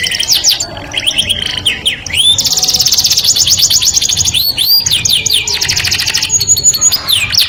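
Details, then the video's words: Canary song meant to attract a mate: a fast, steady trill of repeated high notes leads into bright rising whistles, then further rolling trills and a short sweeping phrase near the end. "o som melodioso de um canário atrai o sexo oposto"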